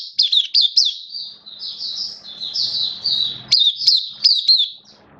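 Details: Oriental white-eye kept caged as a singing bird, 11 September 2022, form a little dipped: high zigzag chirps open the phrase, then a smoother slurred warble, ending in more crisp, clipped notes.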